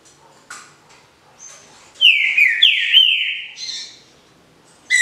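Green-winged Saltator song: a loud, clear whistled phrase of three or four falling, slurred notes lasting about a second and a half, with faint chips before and after.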